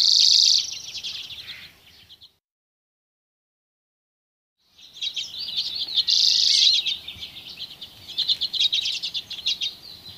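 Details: Dozens of common redpolls foraging on alder cones in Haren; a chorus of high, rapid twittering chips and buzzy notes, broken by a few seconds of silence before resuming.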